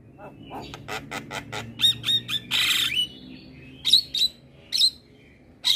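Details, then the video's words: Asian pied starling song used as a training recording for keeping birds: varied squawks, harsh bursts and sharp whistled notes, irregular and high-pitched, with short pauses between phrases. "Masteran Jalak Kebo Ini |Masteran Jalak gacor"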